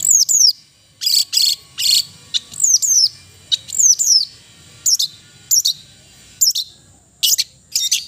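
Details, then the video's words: Long-tailed shrike (cendet), melodious song: high descending whistled slurs alternating with short harsh, scratchy bursts, repeated in a lively, uneven rhythm. "the melodious sound of the cendet bird"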